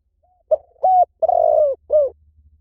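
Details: Spotted dove giving one cooing phrase after a faint lead-in note: a short coo, a level coo, a long rough downward-sliding coo, and a clipped falling end note, with a soft low hum throughout.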